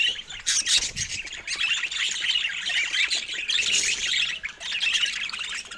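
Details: Chirping from budgerigars, presented as a loving pair. A constant stream of bright, high twitters and short squeaky notes, rising and falling in quick succession throughout.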